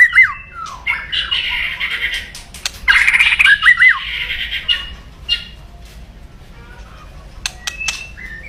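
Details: White-rumped shama giving an aggressive crackling song meant to stir rivals: bursts of harsh rattling noise with sharp whistled slurs and clicks, then quieter scattered notes and clicks toward the end.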